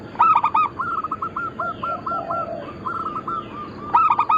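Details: Several local zebra doves, Bangkok cross type, for lure and training: loud rolling coo bursts at the start and end, with a long series of evenly repeated coos and lower doves between.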